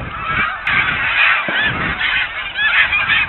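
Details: Snow geese feeding and resting in winter ponds behind a national wildlife refuge visitor center, recorded in January by a waterfowl webcam; a dense chorus of overlapping high nasal honks and yelps from a large flock, continuous throughout.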